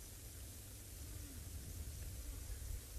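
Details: Steady hiss with a low rumble throughout, like wind or a distant engine, and no clear animal call.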